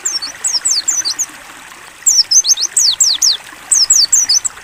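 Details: White-eye (pleci) training song in the 'ngalas buka paruh' style: rapid phrases of bright, high, slurred whistles, the middle burst loudest with steeply falling notes, set against gentle trickling water.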